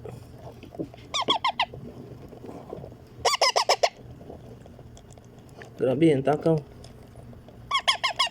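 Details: Indian ringneck parakeet chick being fed, repeating bursts of four to five rasping, nasal squawks in quick rhythm, three bursts in all. A person talks between them.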